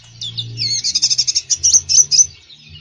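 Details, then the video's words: Konin bird in full, lively song, played to coax a konin that rarely sings: a rapid run of bright high notes, then a quick burst of pulsed chirps and short trills. "KONIN GACOR FULL ISIAN"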